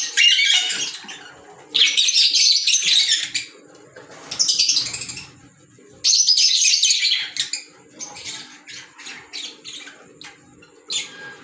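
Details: Pet green Fischer's lovebirds, an African lovebird, break into loud, harsh high-pitched chattering bursts, then fall to softer scattered chirps and short tweets.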